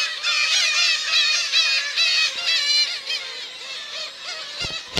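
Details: Black-tailed gull parents and chicks at Kabushima, Aomori, in June 2024, where chicks eat sardines regurgitated by parents amid people's feet, give nasal, cat-like mewing calls in a near-continuous overlapping stream, with a couple of sharp clicks near the end.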